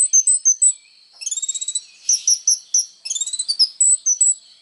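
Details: Kolibri ninja sunbird in lively song, recorded as training material for songbirds: sharp high chirps, then a quick buzzy chatter, more separate chip notes and a rising run of thin whistles.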